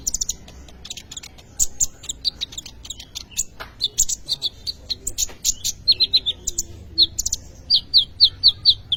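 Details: Kolibri ninja sunbird song used as a lure to train other birds: dense bursts of very high chips and short whistles, building to a steady series of evenly spaced sharp repeated notes in the final seconds.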